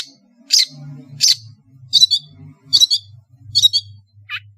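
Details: Long-tailed shrike from Madura singing a varied master song: harsh, scratchy high bursts about every 0.7 seconds, ending in a short rising whistle, over a faint low hum.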